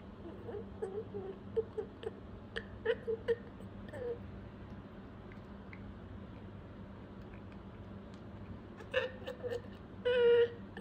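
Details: A pet budgerigar playing alone, apparently with a water bottle, gives short, scattered chirps and clicks, with a quiet pause before a final burst of calls.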